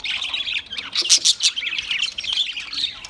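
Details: Australian parrot chirping: a dense, continuous stream of harsh, high squawks and rapid chattering chirps with no clear pauses.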